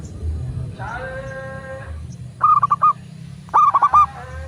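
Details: Local zebra dove cooing, used to coax other doves into song: after a drawn-out nasal droning call, two short trilled phrases of quick rolling notes follow, set against a low background rumble.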